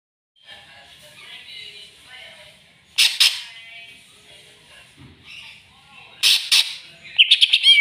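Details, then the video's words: Greater green leafbird looking for a rival and worked up, with a soft, rambling high warble. Two loud, harsh, buzzy bursts break through, then a final run of quick whistled upslurs. "CUCAK IJO CARI LAWAN!!!bikin cucak ijo emosi"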